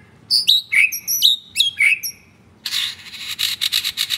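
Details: Captive white-rumped shama (F4 line, mottled 'blorok' breast), recorded at home on the morning of Saturday 10 September: about six loud, clear whistled notes, many sliding downward, in two seconds, then a run of harsh, rasping, buzzy bursts.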